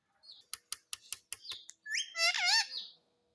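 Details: A pet talking parrot makes a run of sharp clicks about every fifth of a second, a short whistled note, then a loud, wavering, harmonic drawn-out vocal phrase.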